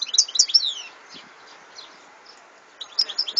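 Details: Bird song attributed to European goldfinch, 2014: a few loud slurred chirps and twitters at the start, faint distant notes, then another brief twittering burst, over noticeable background hiss.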